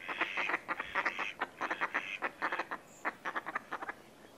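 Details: A wild greylag goose pair on a Scottish loch gives rapid, harsh honking and cackling notes, about four per second in uneven bursts, with a brief high whistle near the end.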